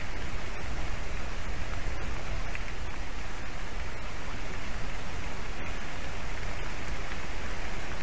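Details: Steady hissing noise like heavy rain or rushing water, with faint regular clicks and no animal voices.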